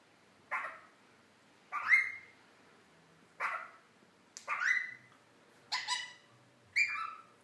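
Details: Indian ringneck parakeet at home, playful silly noises; six harsh, scratchy squawks in a rough series about once a second, some with a bright upward flick, against quiet room hum.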